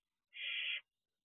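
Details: Barn owl owlet on the roof of its nest box at 3:11 am on 2 June 2023, one sibling joining another: a single harsh, breathy hiss lasting about half a second against a silent night.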